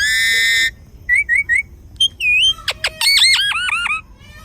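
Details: Zoo parrot in south India giving an assortment of sounds: a long flat harmonic squawk, three short rising chirps, a wavering whistle, sharp clicks, then a rapid run of repeated downslurred squawks fading out.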